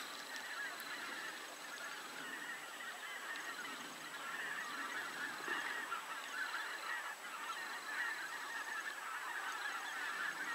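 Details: A flock of common cranes (Grus grus) in central Poland bugles in a dense, continuous chorus of overlapping rolling, trumpeting calls, loud and unbroken throughout.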